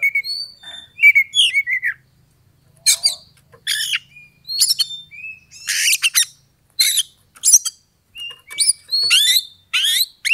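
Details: Oriental magpie-robin lure song for provoking a rival to fight, a long sequence of loud sharp phrases repeated about once a second, mixing rising whistles, chips and harsh buzzy notes, with quiet whistles at the start.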